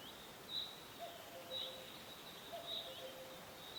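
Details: Forest setting with a cuckoo giving two mellow descending double notes, the higher note dropping to a lower held one. Sharp high chirps repeat about twice a second above a background hiss.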